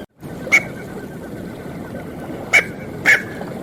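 Three short, harsh, barking notes from a Smew, one alone and then two close together, over a low steady background rumble.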